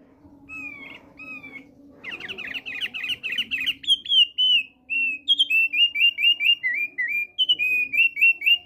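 A male thick-billed heleia sings bright, high whistled phrases, mostly short downslurred notes repeated about twice a second, over a faint low hum.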